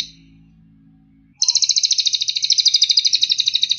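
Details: Cililin training recording for teaching caged birds to sing: after a quiet start with faint low hum, a fast, even, high-pitched pulsed trill begins and runs on, about three to four notes per second.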